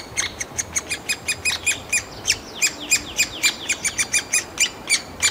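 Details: Three-toed woodpecker nestlings in a tree hole in Kalinovsky forest park, Yekaterinburg, beg for food, calling almost all day as parents bring insects and ant larvae: a steady stream of harsh, high chirps, about four a second, with shorter squeaky notes.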